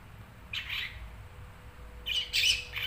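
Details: Pet long-tailed shrike giving two loud, harsh, grating squawks, the second a rough cluster of scratchy notes, against a low steady hum.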